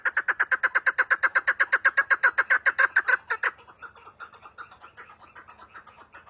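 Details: Chukar partridge call: a fast, steady series of clucking notes, about four per second, loud at first, then fading into a weaker, softer trail of similar notes.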